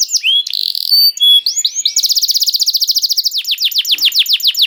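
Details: Canary bait song to make other canaries sing: a few varied whistles and a buzz, then a long, very fast rolling trill of repeated notes that slows slightly toward the end.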